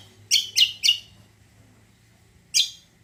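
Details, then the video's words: Cucak kombo, the greater green leafbird, sings lure song for prompting other birds: three loud, sharp chirps in fast succession, a pause of about a second and a half, then one more. "PANCINGAN BURUNG CUCAK KOMBO KECIAL KOMBO BAHAN MANAPUN LANGSUNG NYAUT"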